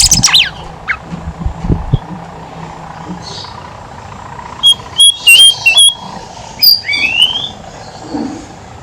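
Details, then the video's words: Horsfield's babbler singing vigorously, a lure for coaxing silent babblers into song: a run of clear high whistles with quick up-and-down inflections, then a rising slurred whistle, after some brief knocking noises. "BIMOLI/KANCILAN EMAS GACOR COCOK BUAT PANCINGAN BIMOLI MALAS BUNYI"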